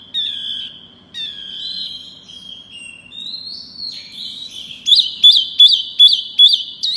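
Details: Pygmy cupwing giving long, thin, high whistles held for around a second each, some gently rising, before breaking into a loud run of looping, bouncing notes repeated about three times per second.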